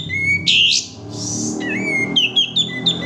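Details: Male sooty-headed bulbul singing as a lure to prompt other birds to sing: bright, clear whistles with a rising then falling note, short repeated chirps near the end, and a burst of hissing noise early on, over a steady low hum.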